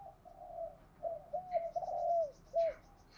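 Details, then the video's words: Spotted dove kept as a lure for wild doves, cooing softly in a row of hollow notes over steady background hiss, with faint high chirps of other birds. "chim cu mồi thúc gù bài bản nhất hiện nay, chim cu gáy kích bổi hiệu quả nhất hiện nay"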